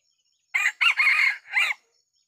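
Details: Decoy red junglefowl rooster crowing while trapping wild Sumatran junglefowl in small oil palm plantings: a brisk, hoarse crow of three to four ringing syllables with a drawn-out middle phrase, over near-silent background.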